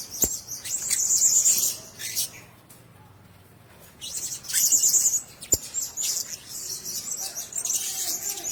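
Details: Caged blue-crowned hanging parrots utter loud bursts of thin, high chattering, fall silent for about two seconds, then resume. Two sharp clicks and faint murmuring voices sound in the background.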